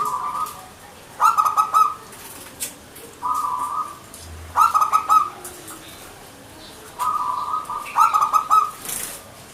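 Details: Local zebra dove, called perkutut, in manggung song: three similar phrases, each a smooth held coo followed by a rapid stuttering cluster, spaced roughly three and a half seconds apart.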